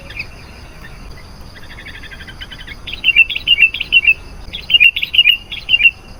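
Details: Sooty-headed bulbul song played to attract wild bulbuls: a soft buzzy trill, then a lively run of bright, bubbly notes repeated in quick succession.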